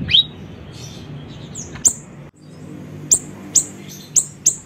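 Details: Siri-siri bird recorded as a lure for attracting birds: a falling high note at the start, then a few widely spaced, piercing chirps over a soft hissing background.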